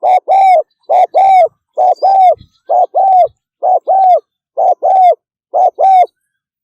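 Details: Spotted dove in fast 'thúc gù' cooing style: steady run of about eight paired coos, a short note followed by a longer, slightly arched one, each pair repeating roughly every 0.8 seconds, clean and close with no other sounds.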